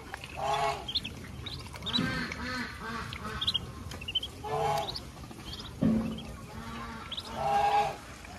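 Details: Mother duck on a rural farm leading her ducklings to feed: loud, nasal quacks in spaced bursts, with thin high peeping from the ducklings scattered between them.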